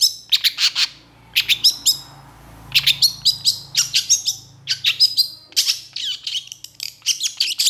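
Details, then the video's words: Long-tailed shrike in full song, given as a remedy for a bird that has stopped singing: bursts of harsh, scratchy chattering notes high in pitch, grouped in rapid clusters with short pauses between each burst. "Cendet Gacor Emosi Cocok Buat Cendet Macet MALAS Bunyi"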